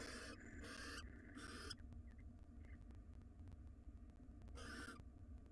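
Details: Wild barn owl male caring for nestlings inside a nest box; three quick harsh hissing bursts in a row, a pause with faint chirps, then one more rasping hiss, over a constant low hum.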